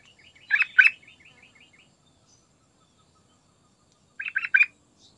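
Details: Lively Sooty-headed bulbul song used as a lure to get other birds singing: two rich, chortling notes followed by a quick, soft run of chirps, a long pause, then three clipped bubbly notes in a rapid group.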